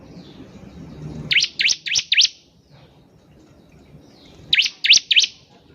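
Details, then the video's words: Bar-winged prinia singing loudly as a prompt for other birds: two runs of three or four sharp, high chirps, each note sweeping up and down, about three seconds apart, over low rumbling background noise. "PANCINGAN CIBLEK GACOR || CIBLEK BAHAN PASTI CEPAT BUNYI"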